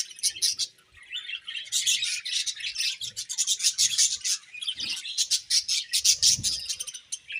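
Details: Budgies keep up a fast, raspy, high-pitched twittering, short buzzy notes tumbling one after another with brief quiet gaps.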